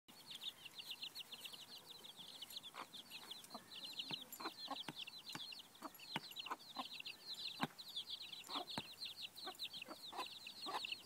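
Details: Naturally brooded chicks: a green-egg-laying broody hen clucks while brooding Amrock and Marans chicks together with another broody hen; continuous high peeping from many chicks over scattered low clucks and clicks.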